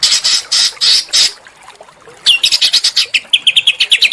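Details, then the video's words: Small birds calling as training sound for a white-rumped shama: harsh buzzy bursts, a short pause, then a quick run of sharp chirps repeated about three per second. "masteran burung kecil agar murai batu gacor"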